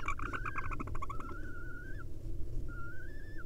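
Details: Male barn owl at a live nest camera in Israel, leaving its day roost to mate with its female; a burst of rapid clicking chitter runs into two drawn-out, slightly rising whistled notes over a steady low hum.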